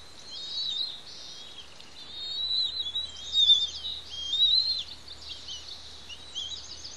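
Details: High, reedy chittering from two bald eaglets on their Santa Cruz Island nest as the adults bring food and feed them, an uneven stream of short wavering notes swelling and fading over several seconds.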